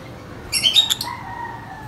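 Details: Lovebirds, described as very vocal with a high-pitched chirp: a quick cluster of sharp, bright chirps lasting about half a second, followed by a faint, steady background hum.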